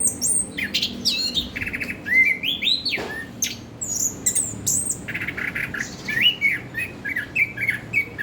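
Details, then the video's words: Orange-headed thrush song: varied loud whistled phrases, rising and falling slurs and rapid trills, with imitative-sounding high notes, delivered continuously with short gaps. "Burung Anis kembang"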